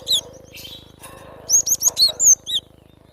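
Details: Wild cinereous tit singing in its natural habitat: a quick run of five or six high, thin whistled notes, each sliding up then down, with a softer chirp just before. Faint low rumbling runs beneath.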